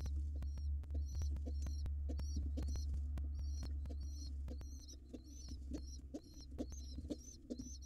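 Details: Wild pigeon nestlings being fed late, just before dark, on a nest camera: rapid, thin, squeaky double peeps, high-pitched and repeated several times a second over a steady low hum, with soft rustling and taps.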